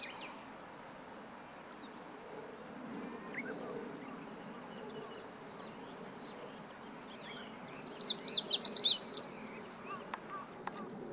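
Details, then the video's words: Meadow Bunting singing, 20 March 2015. A long stretch of soft outdoor hum with occasional faint chips is broken by one short, loud, fast phrase of high, jumbled squeaky notes. "囀るホオジロ hoojiro - Meadow Bunting"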